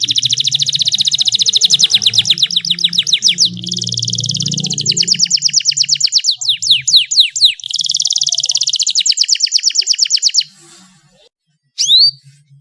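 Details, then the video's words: Canary song used to prompt canaries that rarely sing: long rapid trills of high repeated notes, with a buzzy low hum beneath and brief silence near the end. "SUARA BURUNG KENARI UNTUK PANCINGAN YANG MALAS BUNYI"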